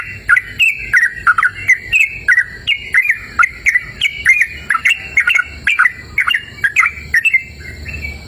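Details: Yellow-vented bulbul in energetic song in open, cool natural surroundings: a dense series of liquid whistled notes bending up and down, repeated quickly and evenly with only short gaps.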